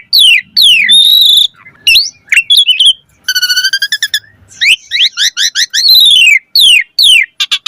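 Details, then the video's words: Asian pied starling singing a rich, talkative lure song to get starlings singing: steep descending whistles, a long steady low whistle, a rapid trill of short notes, then repeated falling slurs in quick succession. "Suara Jalak Suren Gacor Full Isian Auto Respon buat Pancingan Burung Jalak Agar Gacor Isian Mewah"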